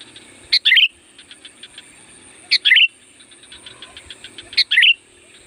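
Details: Loud Sooty-headed bulbul calling to attract wild birds: three phrases about two seconds apart, each a sharp note followed by a bubbly downward slur, with faint ticking chatter between.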